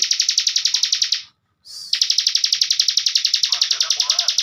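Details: Bar-winged prinia of the ciblek bren type, a caged master songbird, gives long rapid buzzy trills of high pulsed notes, several per second. A short gap follows, then a brief whistled lead-in starts another trill, with faint low sounds beneath.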